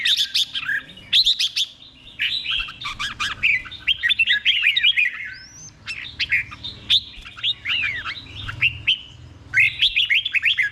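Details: Repeated phrases of red-whiskered bulbul เบิ้ล song, delivered slowly and plainly as a teaching recording for caged birds; lively slurred whistles in quick runs, plus one thin rising whistle midway.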